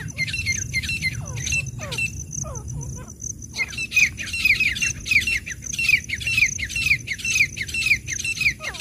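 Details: A wild grey francolin gives a rapid run of loud, ringing, slightly rising notes, about two each second. A brief pause follows, then the series resumes. A steady high hiss and faint downward chirps sit behind it.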